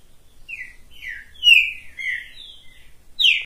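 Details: Short, sweet phrase from a green-winged saltator singing on the hand: a run of clear whistles, each sliding downward, with a loud high note at the close.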